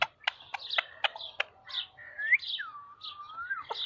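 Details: A talking parrot vocalizing: sharp clicks and short chattering notes, then long whistled glides that rise and fall smoothly, in a quiet setting with no other sounds.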